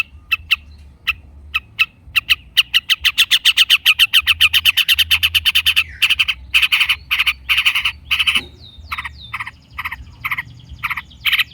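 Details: Long-tailed shrike singing non-stop as a lure: scattered ticks speed into a dense, buzzy chattering series, then give way to harsh grating phrases and quick clipped notes.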